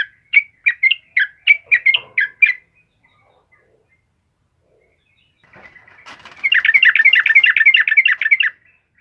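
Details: Yellow-vented bulbul singing for training caged birds. A run of quick bubbly whistled notes lasts two and a half seconds, then a long silence, then a dense rapid chattering burst of overlapping notes for about two seconds.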